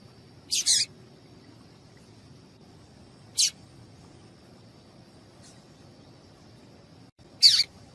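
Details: Three sharp, high, brief chips spaced a few seconds apart from a female Yellow-bellied Seedeater calling, used to stimulate males to sing, over a faint steady high hum and low background rumble.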